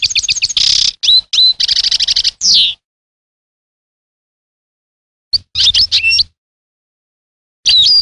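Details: European goldfinch pouring out rapid chirps and a buzzy repeated trill, a downslurred note, then after a pause more liquid twittering phrases and a final bright burst.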